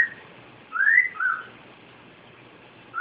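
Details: Pet cockatiel giving a pair of bright whistled notes, the first swooping upward and the second shorter and dropping, followed by quiet and the start of another rising whistle at the end.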